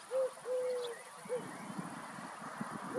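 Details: Single three-note coo of a Streptopelia dove at Walshofen, between Schrobenhausen and Aichach: a quick note, a long even hoot, then a short final note, followed by murmuring rural background and the start of another phrase.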